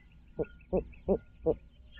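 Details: Barred owl at its nest in Midtown Tulsa, 2019: four short, low, hollow hoots, evenly spaced about a third of a second apart, over a faint steady background hum.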